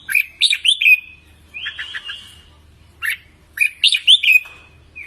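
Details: A red-whiskered bulbul sings a contest-style training song. Loud bursts of quick whistled notes end in drawn-out slurred tones, with a softer rippling phrase between them and a faint low hum.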